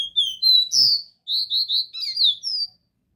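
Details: Copper seedeater in the pure DÓ RÉ MI song style, played to stimulate a captive bird: a run of clear whistled notes, some sliding down, others short and repeated, closing with a high falling whistle.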